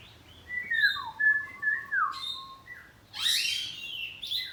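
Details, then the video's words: House-kept oriental magpie-robin in ngeplong saut-sautan singing: clear descending whistled notes in varied short phrases, followed by a loud, harsh rising burst and a final whistle. "Kacer ngeplong saut2an || kacer poci rumahan || suara kacerpoci"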